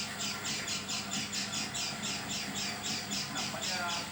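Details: Harsh, scratchy notes from an oriental white-eye with an unusual voice, repeated evenly about four per second throughout, each note a short raspy burst.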